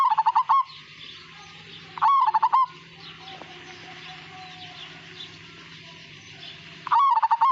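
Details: Fluttering, bubbly cooing phrases from a Majapahit zebra dove, three bursts several seconds apart, with a quiet steady hum and faint distant twittering filling the gaps.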